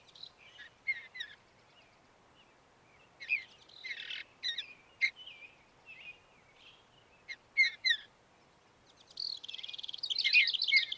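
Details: Mountain bluebird, a thrush, calling: short scattered chirps and soft warbled notes in small clusters, separated by brief silences, ending with a denser run of busy twittering.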